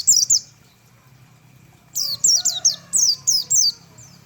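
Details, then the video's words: White-eye (pleci) singing in the rapid 'tembakan' style: a short burst of high, sharply descending chirps, a pause, then a quick run of about six bright downslurred notes, with faint low hum behind. "tembakan burung pleci mantap abis"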